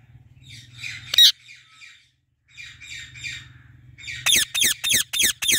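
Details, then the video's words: A female Indian ringneck parrot in a fully bloomed apple tree gives quiet, raspy muttering chatter with one sudden loud squawk, a pause, more chatter over a low hum, then a rapid burst of shrill, falling screeches. "Female Indian Ringneck Parrot Natural Voice | Natural Parrot Sounds and Calls"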